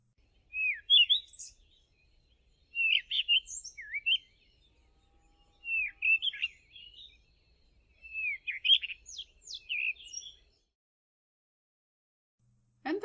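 A Cape Robin-Chat sings four short, varied phrases of bright, slurred whistles, each about a second long and a couple of seconds apart, ending in a brief click.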